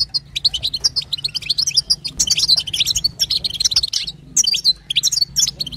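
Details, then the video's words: Female European goldfinch betbeta and sestesa calls, played to get a male goldfinch singing. Rapid, high, jangling twitters flow in long phrases with a brief pause near the middle, over a steady low hum. "بتبتة وستسته حسون تجعل الحسون يغرد فقط اسمعه اذا لم يغرد حسونك اثنى"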